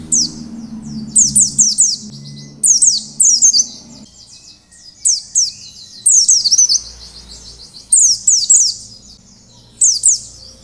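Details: Oriental white-eye (pleci) singing a wild-style 'ngalas' song used as a lure to make other white-eyes sing: rapid high, thin chirping phrases of down-slurred notes in bursts every two seconds or so, with a faint low hum early on.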